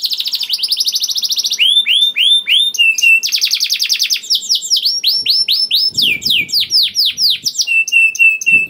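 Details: Canary singing hard with a long rolling trill, played to coax other canaries to sing; a fast trill gives way to repeated downslurred whistles, another dense roll, and chains of swooping notes, all high and continuous.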